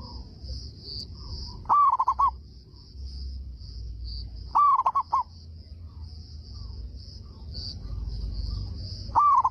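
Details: Local Indonesian zebra dove singing loudly, its big voice drawing replies from other doves: three songs, each a rising cooing note followed by quick stuttered coos, with a steady high insect-like hum and low background rumble.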